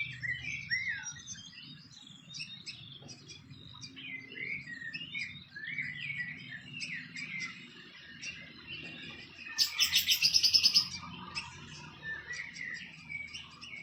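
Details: Fantail by its nest in the wild giving rapid high chirping notes, tumbling twitters repeated in quick bursts, with a short harsh buzzing burst partway through and low background hum.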